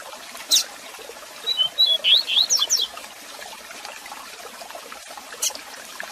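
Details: A Double-collared Seedeater (coleiro) gives a "tui tui zel zel" song used for training young birds: a quick, high phrase of clear slurred whistles, rising and falling, lasting about a second and a half, with two sharp clicks and faint hiss.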